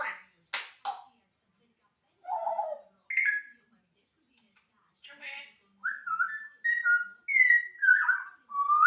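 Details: Pet African grey parrot indoors that talks day and night; a few sharp clicks and short word-like sounds, then a run of quick whistled notes rising and falling, some paired.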